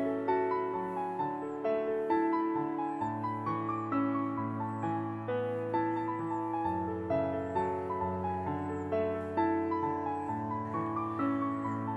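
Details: Gentle piano music plays throughout, with sustained chords and a slow melody and no animal calls.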